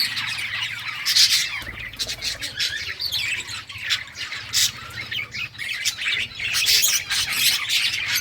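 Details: Several budgies playing, June 17, 2023; softer, rising and falling chatter of scratchy chirps and squawks across eight seconds, with a quiet low hum underneath.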